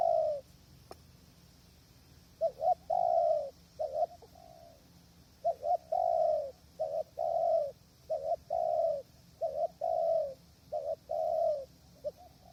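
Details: Spotted dove decoy cooing at a trapping hide in strong wind: a steady series of double notes and longer drawn coos, repeated without pause over a faint continuous high hiss.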